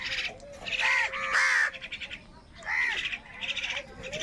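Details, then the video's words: Crows compete with wild birds for food on a rainy morning; loud, rough caws with arching pitch come in two main groups, followed by quieter scratchy calls. "Crow Fight with Wild Birds for Food in a Rainy Morning | কাকের ডাক Crow Sound Loudly"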